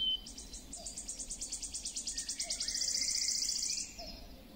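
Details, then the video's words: Song of a wood warbler: about twenty high, sharp notes repeated ever faster, merging into a fast, silvery, shivering trill that ends abruptly; soft low notes from another bird in the background. "Świstunka leśna . Śpiew."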